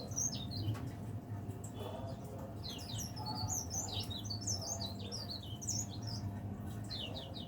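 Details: Caged leaf warbler, kept singing from morning to afternoon, gives a steady run of thin high chirps and twittering phrases throughout, over a constant low hum and faint background noise.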